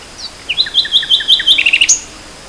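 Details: Spring 2014 nightingale song: a clear phrase of repeated, evenly spaced high notes that speeds into a rapid chattering trill and ends on a thin, high whistle, heard against a quiet background.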